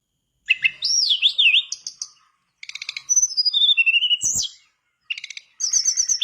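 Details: Mangrove blue flycatcher in full song, played to prompt a silent bird to join in: a wavering, up-and-down whistled phrase, rapid trilled runs of notes, and a final fluttering high trill.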